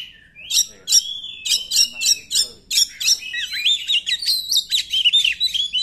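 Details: Oriental magpie-robin singing in 'nembak' style as a lure for magpie-robins that do not sing well. A series of sharp rattled bursts about every third of a second gives way to a rich tumbling run of whistled and warbled notes.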